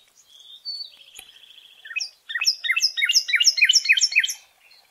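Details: Northern cardinal song, Cincinnati, Ohio: a brief clear whistle, then a quick run of bright, ringing, down-slurred notes repeated about four times a second, with no other sounds.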